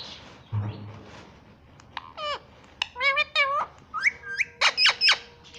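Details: Pet Indian ringneck parrot that says "Mummy" and "Papa" follows a soft low murmur with a quick series of short, bending, voice-like syllables and sharp high chirps, growing busier toward the end.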